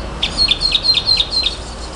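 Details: Nightingale delivering a rhythmic phrase of six sharp, high double notes, each a short upward flick followed by a dipping note, repeated about every quarter second, then stopping.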